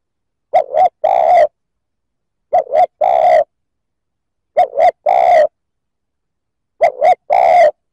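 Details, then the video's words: Spotted dove cooing to provoke other males: four identical short phrases roughly every two seconds, each two quick coos followed by a longer, fuller coo, with silence between. "Tiếng chim cu gáy kích bổi chuẩn"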